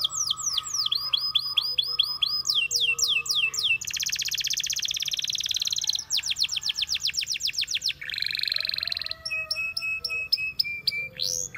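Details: Canary singing, stringing together rapid trilled tours: repeated downward-sweeping whistles, a dense buzzy rattle, a fast rolling trill, then clear chopped notes, each tour lasting one to two seconds.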